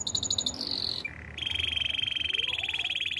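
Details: Canary song for training: brief high pulsed notes, a sustained whistle, then a long, even, rapidly pulsing trill lasting nearly two seconds.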